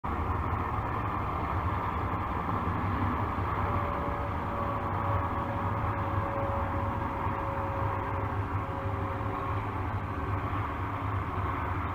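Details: A steady low engine rumble with a few faint tones throughout, and no animal voices.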